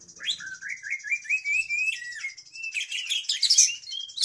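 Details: Contest-ready oriental magpie-robin, said to chatter day and night, delivering a long run of rising whistled notes that step upward, then a burst of mixed high chirps and twitters, with a steady high-pitched tone continuing behind.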